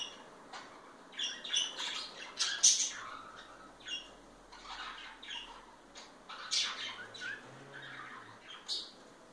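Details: Affectionate pair of parakeets indoors making soft, scattered chirps and short scratchy squawks over a quiet background hiss, with louder bursts around two and a half and six and a half seconds.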